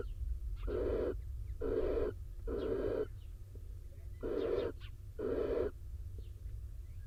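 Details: In an Israeli nest box, a rain-soaked male barn owl arrives beside the female incubating eggs; a series of five harsh wheezing hisses, each about half a second, evenly spaced, over a low steady drone.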